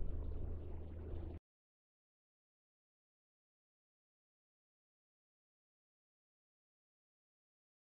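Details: A brief low gurgling, liquid-like rumble lasts about a second and a half, then silence for the rest.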